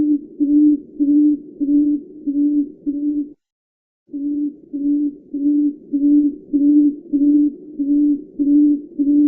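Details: Tawny frogmouth calling with monotonous low hums, five evenly spaced notes, a brief silent gap, then about nine more at the same steady rate near two per second.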